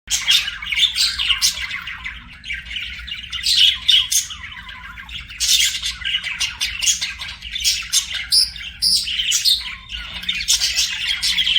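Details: Several pet budgies singing and chirping together: dense, continuous high warbling chatter with scratchy squawks and bright chirps overlapping throughout, swelling and fading in bursts.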